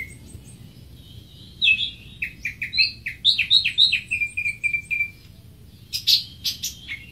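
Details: Greater green leafbird song: after a quiet start, a rapid run of rich, slurred whistles and chirps, about three or four per second, falling to a string of even notes, then a burst of sharp, high chips. Low background hum.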